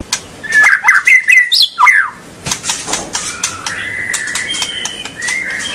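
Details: A burst of loud, sharp whistled notes from a white-rumped shama, used to prompt young birds to sing, followed by softer, thin, drawn-out whistles and scattered clicks.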